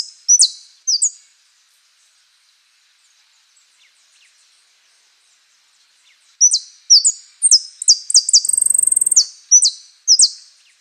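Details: Saffron finch in the "Osama" song style (prio, golpe, pitada): two sharp high notes, a pause, then a full phrase of rapid falling notes with a buzzy rattling trill, in a quiet setting.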